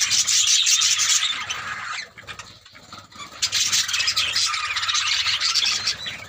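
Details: A colony of budgerigars playing and flying in a happy mood fills the air with dense, overlapping warbling chatter and chirps.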